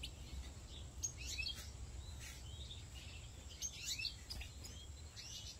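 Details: Captive European goldfinches at a large breeding farm gathered at a bathing pool; scattered bright chirps and brief slurred whistles come in loose bursts, with a constant low machine-like hum underneath.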